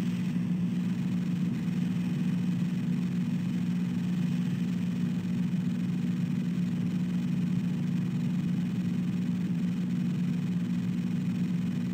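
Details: A steady low mechanical hum, like an idling engine, continues throughout with no animal sounds.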